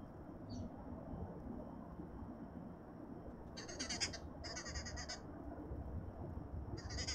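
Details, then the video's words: Arrow-marked babblers at supper time in a suburban garden in Pretoria, South Africa: after a quiet start, harsh, grating chatter bursts arrive in two close blocks and one more at the end, over steady low background rumble. "Arrow-marked babbler supper time"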